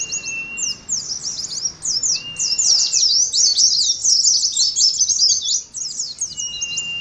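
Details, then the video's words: Caged Oriental white-eyes in 'ngalas' song: a long flat whistle opens, followed by swelling, densely packed high chirping phrases from several birds, and another level whistle closing. "TERAPI ADU NGALAS SAAT KOLONI PLECI"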